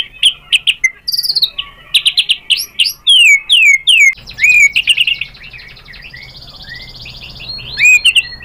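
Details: White-rumped shama singing in reply when provoked: bursts of sharp chirps and downslurred whistles, then a rapid high buzzy trill and a few final whistled notes.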